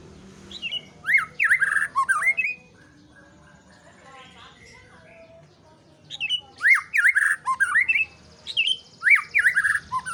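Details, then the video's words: White-rumped shama delivering two bursts of sharp, rising whistled notes separated by a pause of about four seconds, with faint murmuring in the background. "murai shama bird"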